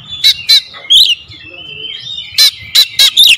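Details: Oriental magpie-robin lure recording in the 'tembakan rapat' style: a few harsh clicking bursts and short sliding whistles separated by a quieter gap, ending in another cluster of sharp strokes.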